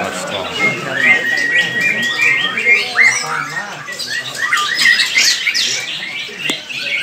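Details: Green leafbird song from Kuningan, 29 March 2024: busy, fast-paced whistles, squeaky chirps and harsh squawking notes tumbling together without pause, voices faintly audible underneath.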